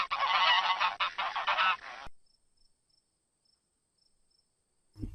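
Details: Domestic goose, named with its young, the goslings: two seconds of loud, rough, rapidly repeated honks in a noisy burst that stops abruptly, leaving near silence apart from a faint thump at the end.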